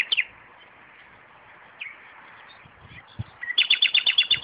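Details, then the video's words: Common nightingale in a garden near tomato plants: scattered soft notes over a quiet background, then an abrupt burst of rapid, evenly spaced staccato notes at the end. "Славей пее край домати - Nightingale singing araund of tomatoes"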